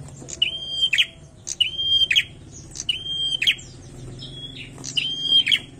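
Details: Bar-winged prinia singing five phrases. Each is a sustained shrill whistle bracketed by sharp clicks and a rasping flourish, delivered about once a second, over a low murmuring background.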